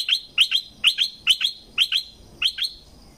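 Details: Streak-eared bulbul from southern Thailand giving quick paired chirps, high and bright. The pairs repeat about every half second over roughly three seconds, with no other clear sounds.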